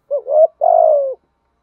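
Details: Single urging coo phrase from a decoy spotted dove, used to excite rival birds: a quick dipping note gliding upward, then a longer, even coo that slowly sinks at the end.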